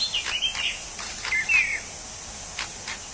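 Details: Brief wild orange-headed thrush phrase: a few slurred whistles and a drawn-out descending note, followed by quiet clicks amid constant insect noise.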